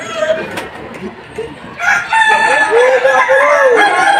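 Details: Kukuak Balenggek rooster crowing in the top Boko class final of a 2025 singing contest in Sawahlunto, West Sumatra. After a quieter start with murmuring voices, a loud crow breaks out in a series of short arched, stepped notes that continue to the end.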